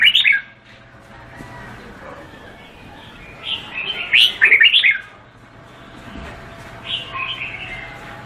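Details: Red-whiskered bulbul of the Vietnamese type giving one loud burst of rapid, tumbling whistled notes midway, flanked by softer warbled phrases at the start and end, against a steady low hum.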